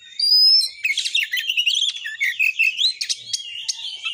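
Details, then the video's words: Oriental magpie-robin in vigorous 'tembakan' song meant to rouse others to sing and fight: a long high whistle opens, then a rapid jumble of twitters and slurred whistles. "TEMBAKAN BURUNG KACER GACOR FULL MATERI .AMPUH BUAT NAIKAN EMOSI KACER, langsung gacor tarung"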